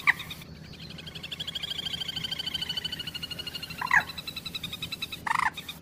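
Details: Moorhen giving a long, rapidly pulsed, nasal rattling call that slowly falls in pitch over about three and a half seconds, ending with a sharp note and a short harsh burst over a faint low hum.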